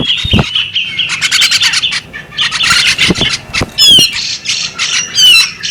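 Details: Harsh squawking chatter from a female bearded magpie robin, given in pulsed bursts, then sharp downward-sweeping whistles near the end, with a few clicks between phrases.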